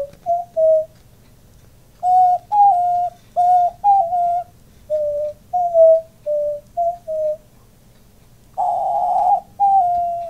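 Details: Pet male diamond dove puffing up to coo with his owner: scattered short, soft, flute-like coos, a few doubled, then a long loud breathy rasp and one final mellow coo.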